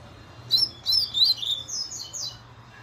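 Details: Double-collared seedeater singing the fast laranjeira style song: a quick burst of high, sharp, slurred chirps, then fainter trailing notes, over a low steady hum.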